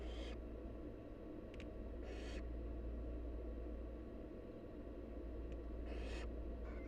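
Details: Wild barn owl nestlings hiss for food as the mother feeds them: four short, coarse, snoring hisses spread across several seconds, with faint ticks and a steady low drone beneath.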